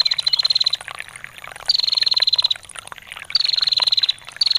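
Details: Female bar-winged prinia's ngetir call: three high, rapid, rattling trills, each about a second long and slightly descending, spaced by pauses filled with trickling water.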